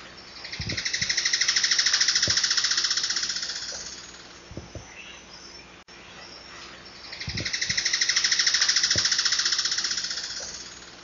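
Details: Alagoas foliage-gleaner (Philydor novaesi), critically endangered, endemic to Alagoas and Pernambuco, Brazil, giving a long, rapid rattling series of sharp high notes that swells and fades over about five seconds, heard twice, with a few faint low knocks.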